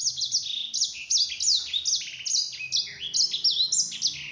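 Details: Yellow-fronted canary song for luring other canaries into answering. A steady, energetic stream of high chirps and looping whistled slurs, repeated several times a second, with notes sweeping up and down throughout, over quiet background.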